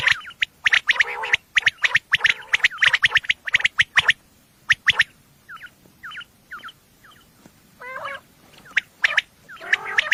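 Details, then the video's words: Common quail at night, a recording used for hunting, described as female: rapid runs of sharp triple notes, then a pause with soft slurred chirps, and a nasal buzzy phrase before the triplets resume. "batair ki awaz night batair sounds for hunting بیٹر کی آواز"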